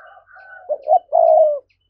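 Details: Spotted dove thúc-style coo for luring wild doves: soft low coos with a faint higher tone, two quick louder rising notes, then one long, steady, gently falling coo.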